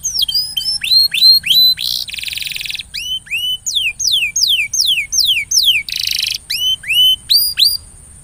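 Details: Canary song meant to prompt a silent canary to sing more often, with varied high whistled notes, sharp downslurs and upswept phrases, broken by two dense buzzy rattles, delivered in quick repeated syllables.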